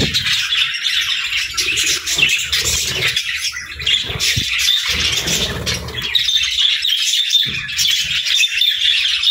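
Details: A group of budgerigars chirping while eating at morning feeding time; continuous high twittering with scattered squawks and faint low thuds.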